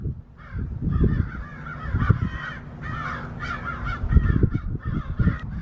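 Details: American crows surrounding a red-tailed hawk in a backyard, mobbing and driving it away; a run of harsh, raspy caws from several birds over steady low wind rumble.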